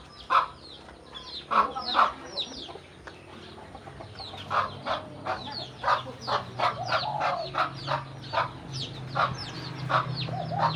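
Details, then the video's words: Hen calling her chicks to come and eat: a long series of rhythmic 'kuk' clucks, speeding up after the first seconds, with chicks peeping high and a low mechanical drone underneath. "เสียงแม่ไก่ดังกุกๆเรียกลุกมากินเหยือ/Tiếng gà mái"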